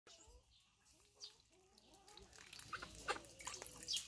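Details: Blue call ducks (domestic duck breed) give a string of short, arched, nasal calls several times a second, overlapping one another, with splashing and rustling noise building toward the end.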